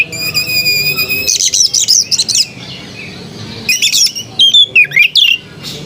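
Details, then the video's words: Oriental magpie-robin song, melodious: a sustained pure whistle opens, then dense scratchy warbled bursts, a pause, and sharp swooping whistled notes near the end. "Burung kacer bersuara merdu"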